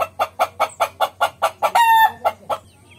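A rooster gives a rapid run of clucking notes, about five a second, broken by one brief drawn-out, ringing note near the end. No other sounds stand out.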